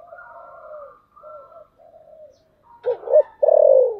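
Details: Lure spotted dove cooing in the 'thổ sấm' voice: a soft run of wavering low coos, then two quick clipped notes and a loud, drawn-out falling coo.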